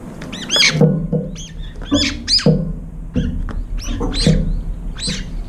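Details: Brown-eared bulbuls arriving late at a nearly empty feeding bowl, competing and squabbling over the last food: harsh, arched screeching calls in quick bursts, mixed with thumps and knocks from the birds at the feeder.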